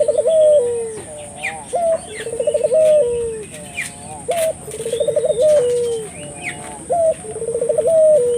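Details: Vigorously calling Barbary dove meant to prompt local doves to join in: repeated low phrases of a short flat coo, a rapid rolled trill and a drawn-out falling note, with faint chirps from other birds.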